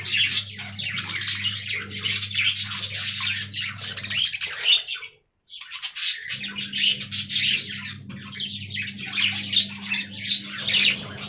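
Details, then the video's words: Budgies in a colony aviary, a long run of dense, fast chirping and warbling from many birds, broken by a brief near-silent gap midway, with a low steady hum in the background. "Budgie Talking Compilation"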